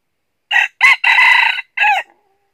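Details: Red junglefowl crowing during wild junglefowl trapping in Vietnam with a decoy bird: a short, clipped cock-a-doodle in four quick harsh bursts over about a second and a half, ending abruptly.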